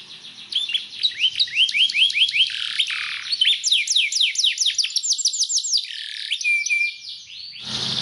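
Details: Belgian canary training song to stimulate other canaries: varied phrases of quick down-slurred chirps, upward sweeping whistled notes and a short steady tone, high and bright, ending with a brief burst of noise.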